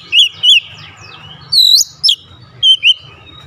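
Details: Oriental magpie-robin singing with beak wide open: two looping whistles, then a long high swept note and sharp descending notes, ending with a paired whistle; low hum in the background.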